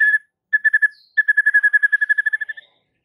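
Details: White-rumped shama singing as a provocation for other shamas: a fast, even trill of pure whistled notes on one pitch, given in two short bursts and then a longer run of about twenty notes.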